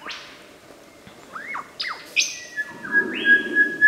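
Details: Lyrebird mimicking other birds: loud, varied whistled notes, sharp rising and falling sweeps, then a sustained steady whistle broken into repeated pulses toward the end, over a faint low background hum.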